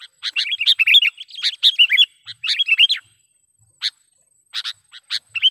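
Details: Lure call of a sooty-headed bulbul for trapping wild birds: lively, rapid chattering and warbled notes for three seconds, then scattered short sharp chirps after a pause.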